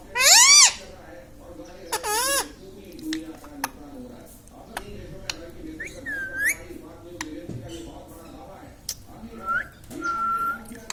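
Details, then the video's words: An Indian ringneck parakeet kept as a pet talks, with words like mummy, papa and radhe radhe. Two loud, rippling syllables open the recording, followed by faint clicks and a few soft, thin whistled notes in a quiet room. "indian ringneck parrot talking video"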